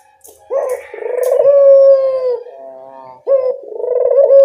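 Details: Lure recording of a local Barbary dove to prompt answering birds: a few faint clicks, then two loud coo phrases, each a rising start and a long steady hum-like note.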